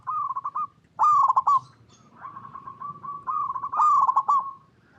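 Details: Chatty local zebra dove cooing to lure other doves: loud trilled, stuttering coos alternating with softer sustained purring coos, nearly continuous over five seconds.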